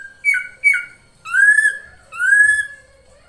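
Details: Ashy drongo singing, a lure recording: two short sharp whistled notes followed by two longer, smooth, slightly rising and falling clear whistles, all rich in ringing overtones.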